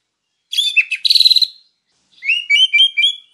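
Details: White-rumped shama (murai batu) singing actively in a master training recording of WIKPLONG style: two bursts of bright, rapid whistled and trilled notes, the second a run of rising slurred whistles, with clean silent background.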